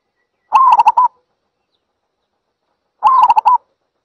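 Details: A zebra dove repeats a brisk, trilled string of short cooing notes twice, each burst lasting about half a second, with a clean silent pause between.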